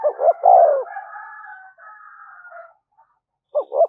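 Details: Spotted dove in the urgent 'thúc gù' cooing style used to lure wild doves: a low three-part coo, two short notes and a longer falling one, then a thinner higher tonal sound and another coo at the end.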